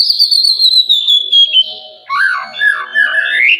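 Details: Oriental magpie-robin song, played to coax quiet birds into singing: a long clear whistle slowly falling in pitch, then a busier stretch of warbled, rising and falling notes.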